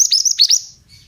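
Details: Pied bushchat, a male of the mountain type, giving a short burst of five or so high, sharply falling whistled notes in rapid succession. The phrase fades into quiet low hum.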